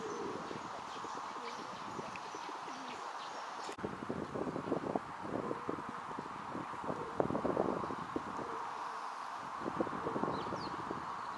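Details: Rock doves courting a female while busy feeding give low, soft, repeated coos under a steady background hum, with scattered pecking and rustling noises.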